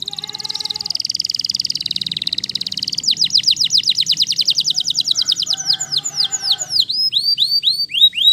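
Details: Singing Waterslager canary: a long, even, buzzy trill with a soft lower rattle beneath it, then a rapid run of repeated sweeping notes. The song ends in looping, curling whistles.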